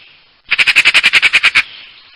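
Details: A single rapid burst of magpie chatter, about eleven grating, evenly spaced notes packed into just over a second, with quiet before and after.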